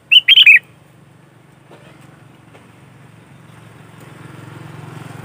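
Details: Sooty-headed bulbul in lively 'gacor' singing, recorded as a lure for trapping bulbuls: one quick phrase of three or four bubbly, slurred whistled notes at the start, then a steady low hum and rising background noise.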